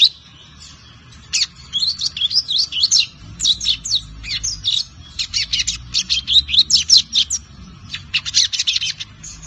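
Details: Young lined seedeater, brown-plumaged, five months old, learning the Tui Tui zel zel song style; after a quiet start, rapid high chirps and short buzzy notes come in quick irregular bursts, with brief pauses between phrases.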